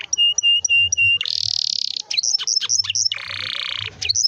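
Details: Canary song intended to prompt young canaries to sing, mixing clear steady whistled notes, harsh buzzy rattles and quick sharp chips.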